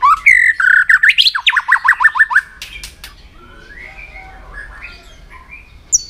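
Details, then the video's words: White-rumped shama trained to sing in contests: rich rising whistles lead into a fast train of about eight sharp down-slurred notes, followed by soft distant whistled phrases. "luyện giọng chòe lửa hót kích chòe lửa nhanh căng lửa"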